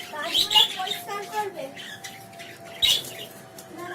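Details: Pet budgerigars playing with a new toy chatter in quick, scratchy chirps and squawks, with a steady faint hum behind them.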